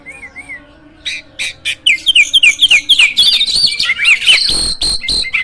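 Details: A gacor hybrid jalak in a cage, used as a song master for young birds. Soft paired whistles give way to a loud, fast, jumbled stream of clicks, slurred whistles and buzzy chatter.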